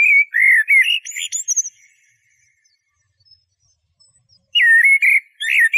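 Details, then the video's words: Eurasian blackbird song, a rich warbling phrase of fluty whistles ending in thin, high squeaky twitters. A quiet pause follows before another mellow whistled phrase begins. "تغريد طائر شحرور (جحمومية)Merle noir"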